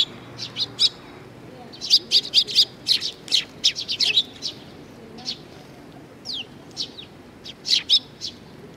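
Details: Young sparrows gathering at food at Tenmangu, Nakanoshima, on 25 May 2020, giving bursts of short, high, sharp chirps in quick clusters, busiest in the middle, with quieter pauses between. Faint low background murmur.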